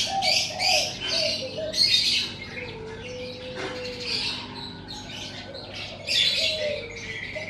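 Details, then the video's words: Morning bird chorus in front of a house: quick high chirps in clusters, with a lower drawn-out whistled note and scattered brief lower calls beneath. "Suara Kicau Burung"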